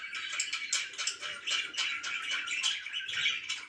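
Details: Budgies chirping indoors in the morning: rapid scratchy chatter mixed with short bright whistled notes, steady throughout.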